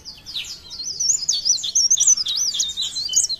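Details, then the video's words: Leaf warbler (cikrak daun) from Parepare, singing in the blereng gacor style: a rapid, high, thin warble of twisting whistled notes that runs without a break. "CIKRAK DAUN | PARE PARE | BLERENG GACOR"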